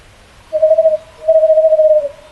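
A Western Screech-Owl gives a short, soft hooting trill, then a longer even one on the same mellow mid pitch. The background is quiet.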